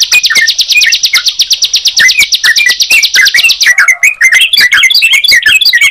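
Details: Sunda pied chat and yellow-vented bulbul together: steady rapid chirping over a high buzzing band, which stops partway to leave a looser jumble of varied whistled and twittering notes.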